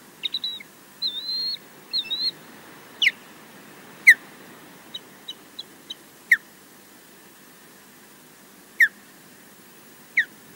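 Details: Osprey at a Loch Garten nest in Scotland, recorded by a live camera, defending the nest alone against a distant intruder. Flat piping notes open the passage. Sharp descending whistled yelps follow, spaced a second or more apart, with some faint clicks in between.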